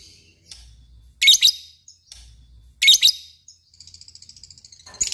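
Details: Lovebird described as a fighter bird, with harsh, scratchy chirp bursts followed by a short run of quick, bright, bubbling notes.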